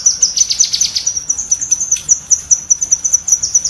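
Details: Cucak kinoi bulbul giving quick shrill chatter for training pet songbirds, a fast trill at first easing into evenly spaced sharp high notes.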